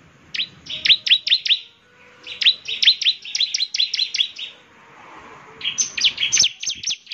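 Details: Bar-winged prinia song used to get other prinias answering: bursts of rapid, high, sharp chips separated by short pauses, the last burst higher and thinner.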